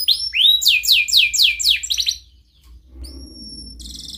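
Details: Canary in breeding condition calling a rival, sung as a lure for young canaries to learn: a fast run of repeated rising chirps high in pitch for two seconds, a pause, then a long thin steady whistle and a buzzy trill.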